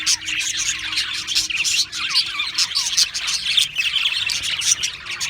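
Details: Australian parrots in a group, giving a dense, continuous chatter of quick high chirps and short twittering notes that overlap without pause, with brief louder squeaks standing out now and then.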